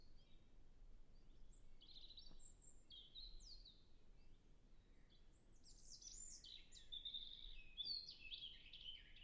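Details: A European robin in a natural reserve in early spring, in a temperate climate, sings thin, high, liquid phrases that shift pitch and tumble together, growing busier toward the end, over a steady low rumble of wind in the trees.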